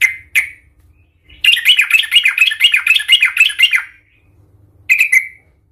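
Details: Yellow-vented bulbul (trucukan) giving an aggressive, raging fighting song meant to provoke other bulbuls: a short burst of bubbly, chattering warbled notes, bracketed by single sharp chirps and brief silences.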